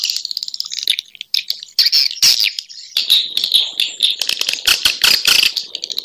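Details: Calling swiftlets, sound used to draw swiftlets in; dense twittering and buzzy chatter with overlapping sharp clicks and rattles, continuous throughout.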